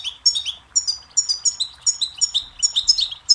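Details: A goldfinch's song for tutoring chicks and songbirds: quick, high twittering phrases of clear, slurred notes, repeated about three times a second.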